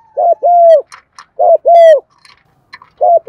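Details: Decoy spotted dove calling in deep 'giọng thổ' style to lure wild doves: paired low arched coos repeated in quick bursts, with faint higher chirps and clicks from other small birds between phrases.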